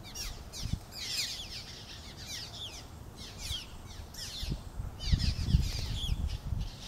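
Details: Cliff swallows at the Yocona River bridge in Lafayette County, Mississippi, on a sunny, warm day, 15 May 2020; many squeaky, downslurred chirps come in overlapping bursts over a steady low rumble.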